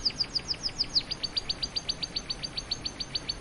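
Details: Canary song made of a rapid, evenly spaced series of bright high notes, about three per second at first then quickening, forming a continuous chattering trill over faint background hiss.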